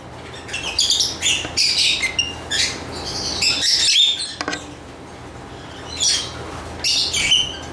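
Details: Lovebirds chirping in short raspy bursts and thin squeaks, a dense run of chatter followed by a quieter gap, then more shrill bursts.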